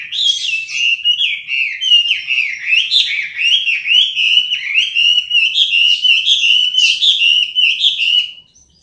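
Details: Chinese hwamei pouring out a long, fluty warbled song, each phrase swooping and wavering, strung together for about eight seconds before stopping into silence.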